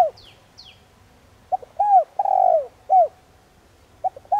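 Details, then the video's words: Spotted dove for decoy training cooing a full phrase of falling hoots with a long wavering note, preceded by two thin high descending chirps from another bird, and a low hum beneath. "Chim cu gáy Gáy Gọi nhẹ nhàng kích bổi nhanh gáy/cu gáy kích mồi tập bổi hiệu quả"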